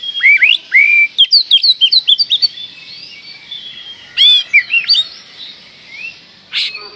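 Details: Oriental magpie-robin in lively, loud song, used as a lure to provoke and excite other magpie-robins; quick run of sharp, slurred whistled notes for about two and a half seconds, a hissy pause, then another burst of rising whistles and a closing note.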